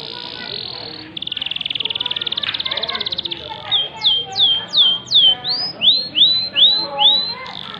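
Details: Canary singing: a fast rattling trill, then a series of loud upward-sweeping whistled notes repeated about twice a second.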